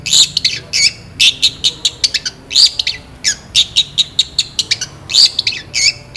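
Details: Long-tailed shrike, singing steadily in a rich song of borrowed phrases meant for tutoring other birds: a fast series of harsh, high chips and buzzy notes with brief whistled accents, irregular but unbroken.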